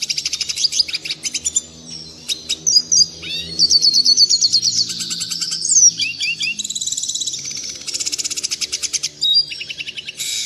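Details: Red siskin song for training caged birds, clean and bright: ten seconds of high twittering, buzzy trills and brief whistled swoops in continuous phrases, with a faint low hum beneath.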